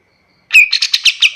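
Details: Kapas tembak master song for teaching other birds: a short fragment opening with a sharp whistled note followed by a quick series of buzzy chattering notes.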